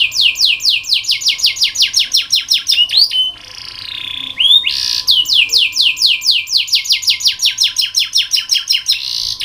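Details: Canary song meant to coax and train canaries: long rapid series of bright descending whistled notes, broken midway by a buzzy, nasal sustained phrase, then the quick repeated notes resume; faint steady hum.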